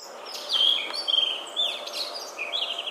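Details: Blue rock thrush singing: clear, sweet whistled phrases, some sliding and some warbled, delivered in short bursts with brief pauses over a faint steady background hiss.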